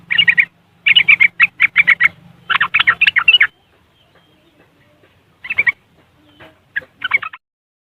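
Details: Chattering riwikan song of a yellow-vented bulbul, West Java, Indonesia, phone recording used to stir lazy caged birds: three fast bursts of harsh, rapid chirps, a quiet gap, then shorter scattered chirp clusters near the end.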